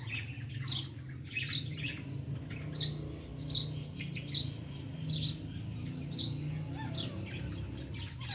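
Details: Francolin female fighting with her chicks, giving thin high sweeping chirps at an uneven rate of roughly one per second over a constant low droning hum.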